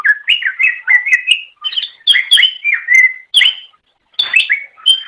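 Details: On a master track for training songbirds, a Greater Green Leafbird sings lively chattering song: swooping whistles rising and falling in quick succession, short breaks between phrases, and sharp accented notes.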